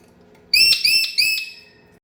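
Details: Pet Indian ringneck parakeet in an angry mood giving three loud, shrill, whistled screeches in quick succession, each a flat piercing note with a slight downward bend, over a quiet background hum.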